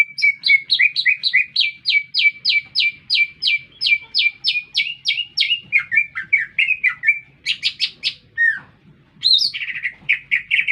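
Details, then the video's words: Energetic green leafbird song in a city centre: a long rapid series of sharp, repeated two-part whistled notes, then harsh buzzy bursts and a dense warbling ending, with a soft low background hum. "Cicak Ijo Gacor"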